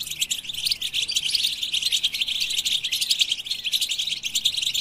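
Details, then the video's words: Dense, high, jingling twitter of a European goldfinch, its chirps and fine trills flowing without gaps through the whole stretch. "the Goldfinch With the Best Melodies"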